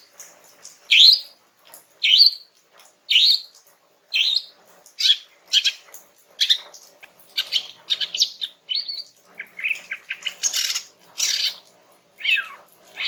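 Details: Calm singing by a female greater green leafbird to coax a young male's answer: a steady stream of bright chirped notes sliding downward, close to two per second, turning more varied and jumbled near the end.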